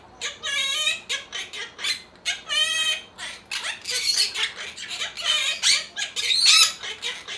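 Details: Pet monk parakeets in a home join in singing learned tunes together, with harmonic, voice-like squawky phrases in quick bursts and brief pauses between notes.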